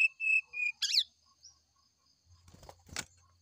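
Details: Brown-chested jungle flycatcher singing in the morning as a lure to prompt a reply: a few clear whistled notes near the start, one sharper upward-swept note, then a brief buzzy rattle with faint low rumbling.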